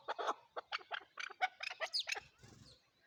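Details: Chukar partridge, called chakor, giving a quick run of harsh clucking notes, about a dozen short bursts in three seconds, ending in a brief low rustle.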